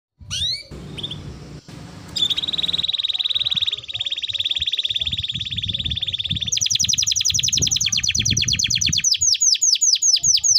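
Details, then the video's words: Canary in full song, used as a lure to stimulate other canaries to sing: a long steady high trill of rapid repeated notes, then quick descending chirps, over a low background rumble. "Pancingan Suara Burung Kenari Gacor || Ampuh Rangsang Kenari Cepat Bunyi"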